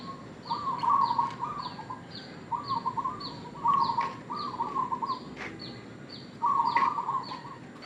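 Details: Zebra dove, a local strain, calling as a lure for other doves: bursts of quick staccato cooing trills in short phrases with gaps between them. Another bird repeats thin, high, falling chirps in the background.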